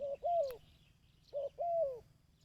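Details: A dove gives two coo phrases meant for training decoy birds. A short steady note leads into a long, gently descending coo, repeated after about a second, with faint distant chirps.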